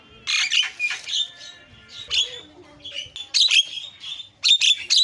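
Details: Lure recording of a starling meant to set other starlings singing: scattered bursts of rasping chatter and squawky notes separated by brief pauses, with a few clear whistled tones.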